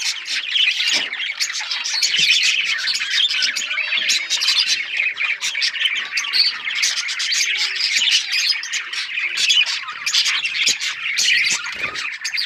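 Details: A crowded budgie chorus of continuous high chirps, squeaky warbles and occasional harsh squawks, all overlapping at a steady loud level.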